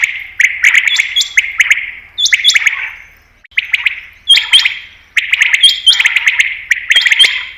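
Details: Common quail (batair) calls recorded for attracting quail in hunting: quick groups of crisp notes with reverberant tails, repeated in bursts, with brief pauses and overlapping higher whistled tones.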